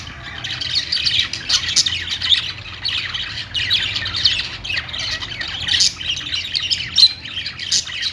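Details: Budgerigar song as a constant twittering chatter of scratchy chirps and short squawks, rising and falling in loudness.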